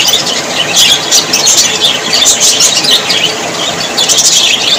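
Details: Happy budgerigars chatter together in a busy flock, giving bright squeaky chirps and quick warbled whistles that overlap without pause.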